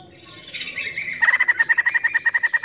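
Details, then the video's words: A female white-crested laughingthrush gives a blurred, rising, noisy onset that turns into a quick, regular series of bright, clipped chirps at a steady pitch, roughly eight per second. "Garrulax leucolophus POKSAY JAMBUL BETINA CREWET SEKALI"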